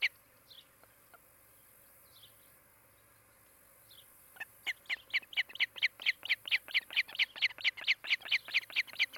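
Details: Nest-camera recording of an osprey from a nesting pair in Charlo, Montana, 16 July 2018: a few faint, scattered chirps at first, then from midway an insistent, accelerating series of loud, clipped whistled notes, repeated several times a second.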